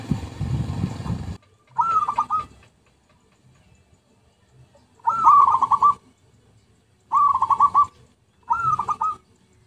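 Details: Zebra dove song from a lure recording: four short rolling coos, each a rapid burbling trill under a second long, spaced irregularly after an opening burst of low rumbling noise.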